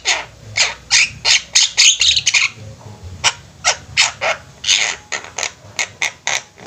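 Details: A flock of Javan mynas sings vigorously, with rapid runs of short, harsh, scratchy notes, several per second, clustered into dense chattering bursts.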